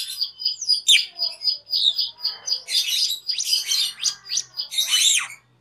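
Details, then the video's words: Master recording of cucak keling for training caged birds: a quick series of high chirped notes that breaks into harsher, buzzy and scratchy phrases with descending slurs near the end. "SUARA MASTERAN CUCAK KELING/KERLING"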